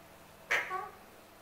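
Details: A single raspy, nasal screech from a male Alexandrine parrot kept as a pet and asking for his apple. It bursts out suddenly, then trails off in a brief wavering tone.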